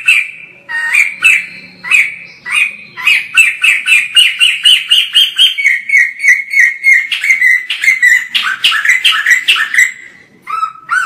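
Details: White-crested laughingthrush in full, lively chattering song: a dense, rapid run of loud, ringing notes, around four per second, mostly mid-pitched with bright upper overtones, rolling on almost without pause for eleven seconds.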